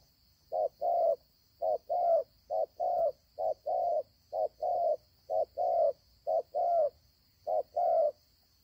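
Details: Newly caught wild spotted dove with a good voice cooing in low mellow two-part phrases, a short note then a longer one, repeated steadily for the whole stretch. A faint steady high hum sits behind.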